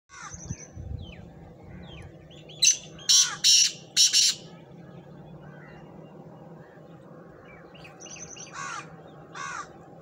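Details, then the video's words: Black francolin calling: a burst of four loud, harsh, grating notes in quick succession near the middle, with a few softer high chirps before and after over steady low background noise. "kala tatter awaz"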